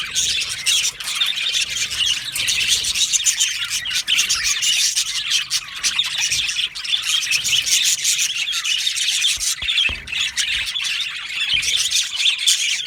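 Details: An aviary colony of yellow male budgerigars produces a long, steady, crowded chorus of scratchy chirps, squawks and warbling chatter.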